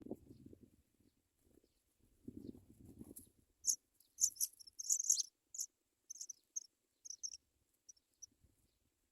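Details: African pipit chicks being fed by their mother, begging: bursts of very high, thin, squeaky chirps, clustered and irregular, following soft low rustling and handling sounds in the first seconds.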